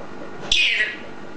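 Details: Green eclectus parrot, a household pet said to be talking, lets out a single raspy, noisy screech of roughly half a second, starting abruptly and fading, with low room hum.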